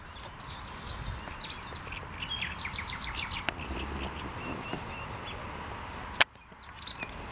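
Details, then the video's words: Thrush nightingale singing on 7 May: varied series of high, rapidly repeated notes and short descending phrases over steady background noise, with a sharp click near the end. "Śpiew słowika rdzawego. 7.05.202 rok"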